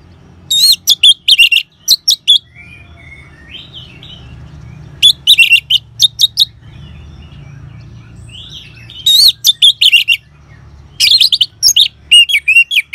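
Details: Orange-headed thrush singing in the ngeban style, used to coax caged birds into song: four short bursts of dense, scratchy chattering notes separated by pauses filled with faint whistles and low background hum.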